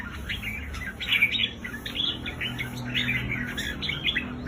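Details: Red-whiskered bulbul sound, played to excite caged birds at home: overlapping bright chattering notes and short warbled phrases, several voices at once, with a low steady background hum.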